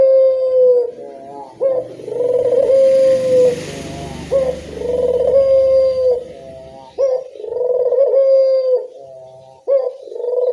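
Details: Lure recording of a local Barbary dove: deep cooing phrases repeating roughly every three seconds, each a short upward note followed by a long even tone, with a soft low rumbling background in the middle.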